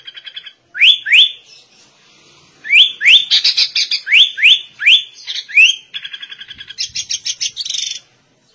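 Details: Sooty-headed bulbul delivering song in white-rumped shama style: repeated snappy upswept whistles in quick series, mixed with harsh buzzes and a rapid stuttering trill toward the end, in a clear setting.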